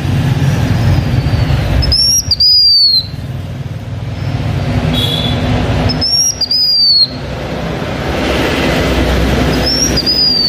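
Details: Decoy-singing blue-winged minla from the H'Mông, repeating its bright whistled phrase three times roughly every four seconds, a quick rising note then a sustained slightly descending one, with persistent low mechanical rumble underneath.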